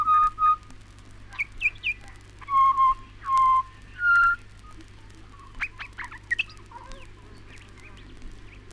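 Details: Pied butcherbird in Australia giving mellow whistled notes: two short opening tones, several higher slurred notes, and three longer level whistles. Softer, scattered chirps follow over a steady low hum.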